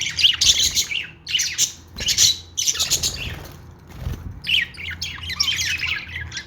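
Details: Pet budgerigars chirping: harsh, scratchy squawks and chirps in rapid bursts, almost continuous over several seconds, with a faint low hum behind.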